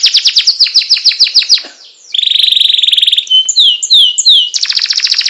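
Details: Loper canary delivering a long roll: quick repeated downswept notes, a brief pause, a tight steady trill, then slurred whistles and another fast burst.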